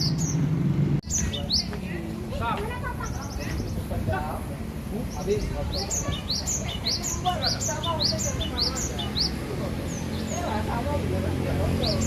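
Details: Aceh cinereous tit kept at home, singing gantang: after a thump and a mixed jumble of notes, a run of quick, evenly repeated high two-note phrases, about three per second, against constant low background rumble.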